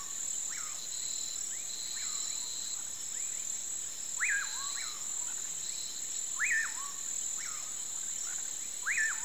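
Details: Bacurau, the common pauraque, singing as the sun sets: soft whistles building to loud swooping notes that rise steeply and fall away, repeated about every two seconds, over a steady ringing insect and cricket background.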